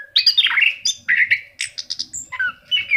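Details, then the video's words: Energetic song of an orange-headed thrush (anis kembang): continuous quick warbles, slurs and chirps, varied in pitch, with a thin high whistle near the middle and a falling note to close. "SUARA ANIS KEMBANG GACOR"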